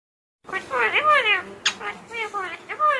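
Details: Pet Indian ringneck parakeet talking: a run of clear, word-like mimicked phrases with wavering, rising and falling tones, several short syllables in quick succession after a brief silence, indoors.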